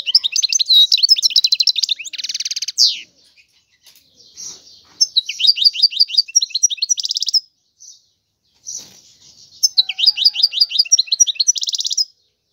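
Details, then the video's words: Song of a European goldfinch: long runs of quick descending chirps and dense buzzy trills, several phrases of two to three seconds broken by short silences. "تغريد الحسون هو اجمل صوت العصافير"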